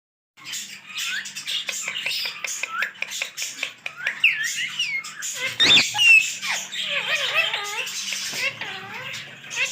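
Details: Green parrots, said to be talking, chatter in a stream of quick chirps, squeaky squawks and twisting warbled notes, dense and irregular, with a sharp clatter in the middle.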